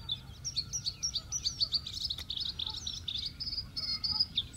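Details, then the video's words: A Bluethroat in the Biesbosch, the Netherlands, sings a fast, varied run of high chirps, trills and ringing notes, with a steady low rumble behind it. "Bluethroat Blauwborst"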